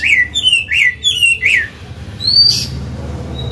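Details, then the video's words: Old forest Chinese hwamei kept to train caged songbirds repeats a bright descending whistled note about five times in quick succession, then gives one high sliding whistle and falls quiet. "Họa mi già giọng cực hay, luyện bổi, kích trống hót hay"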